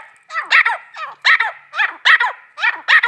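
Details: Female grey francolin calling with harsh, scratchy two-part notes, each burst repeated roughly every three quarters of a second in a steady rhythm, loud and close with no other sounds.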